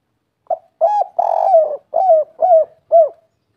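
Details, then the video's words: Local spotted dove singing the kuk 3 pattern: short opening note, a hollow coo, a long grating coo, then three round, evenly paced coos against silence. "Suara burung derkuku kuk 3 ful gacor - suara empuk"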